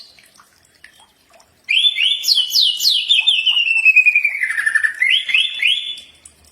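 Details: After a short silence, a common iora bursts into a long run of rapid notes sliding steadily downward, then ends with several rising whistles. Used as a training recording for birds.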